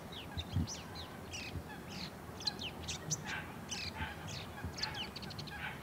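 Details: A male Bull-headed Shrike sings softly to a female during courtship display: a rapid, varied run of high chirps, squeaks and short trills over a steady low rumble.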